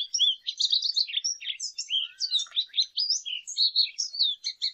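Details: Lesser goldfinch (Spinus psaltria) singing a continuous, rapid jumble of high twittering notes, sweet whistles and buzzy slurred phrases with no pauses, mixed with brief descending tones.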